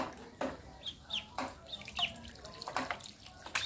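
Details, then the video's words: Swimming duck quacks in short, harsh, nasal bursts, about four in under four seconds, with faint higher squeaks over splashing water. "SUARA BEBEK KWEK KWEK KWEK KWEK"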